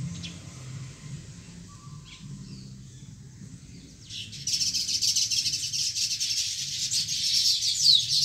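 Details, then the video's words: Sparrows at a nest break into dense, rapid, high-pitched chirping chatter about halfway through, after a quiet stretch of low background rumble. "Beautiful Sparrow Nest and Amazing Sound"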